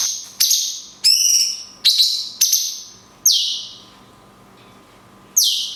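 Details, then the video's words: Cungkok singing long 'kunti' shots with natural pauses for tutoring songbirds: loud, falling whistles and one buzzy rising note in quick succession, then a two-second silence before a last descending whistle; steady low hum. "CUNGKOK TEMBAKAN KUNTI PANJANG - JEDA ALAMI"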